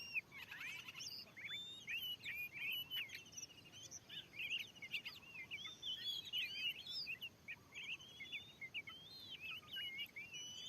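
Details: In a freshly cleared field, a wild Oriental magpie-robin called very fierce answers a decoy: a nearly continuous stream of looping, slurred whistles and sharp chirps, rising and falling quickly, with loud bursts throughout.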